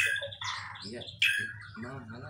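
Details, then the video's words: White-rumped shama singing a song filled with mimicry of the kapas tembak: loud sweeping whistles and buzzy bursts, a sharp high note at one second, over a steady low hum. "murai isian kapas tembak"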